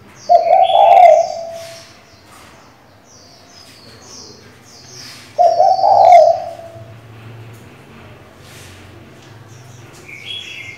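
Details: Spotted dove female cooing to call the male and excite a decoy bird: two low, throaty coos about five seconds apart, with scattered high chirps and whistles from other birds.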